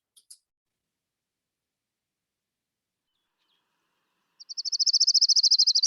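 An Orange-crowned Warbler sings a fast, high, clear trill after two faint chips.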